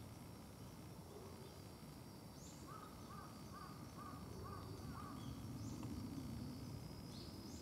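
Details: A Japanese green woodpecker on a hillside behind a house gives a series of about eight short, slightly falling notes, roughly two per second, over steady low rumble and faint high chirps.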